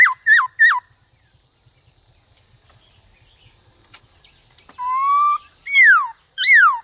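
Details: Black-throated laughingthrush (Ianthocincla chinensis) in a singing duel with a wild rival: loud, clear whistles, three quick downslurred notes, a pause, a rising pair and two long falling whistles, over steady high insect hiss.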